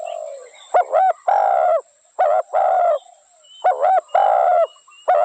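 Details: Spotted dove repeating its cooing phrase: paired short coos leading into a longer coo, about three phrases in five seconds, with faint bird twitters in the background.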